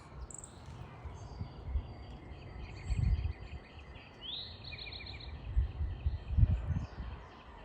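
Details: Tufted titmouse calling: a short series of high, thin, downslurred notes run together in the middle, with a few faint chirps elsewhere, over a steady low rumble and bursts of low thumping.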